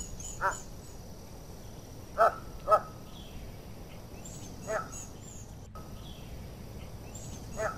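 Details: Short nasal grunts from an American white ibis, single or doubled, at irregular intervals of one to two seconds over a constant low hum.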